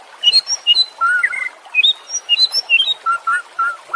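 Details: White-rumped shama in training audio for caged birds, singing short clear whistled notes that hop between high and lower pitches, with paired slurred notes and quick chirps in an irregular, lively sequence.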